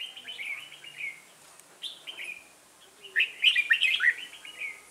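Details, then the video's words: Red-whiskered bulbul in a trapping session using a decoy bird, delivering warbled chirp phrases with a gap and then a louder, fuller burst near the end. "Bẫy chào mào"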